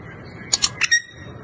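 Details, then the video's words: A pet rose-ringed (ringneck) parakeet talking: four quick, bright, scratchy syllables of mimicked speech within half a second, over a faint indoor hum. "parrot talking"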